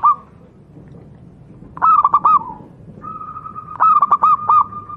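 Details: Wild local zebra dove (perkutut jawa) song meant for tutoring caged doves: a long steady whistled note followed by a quick run of stuttering coos, phrases spaced about two seconds apart, faint low background hum.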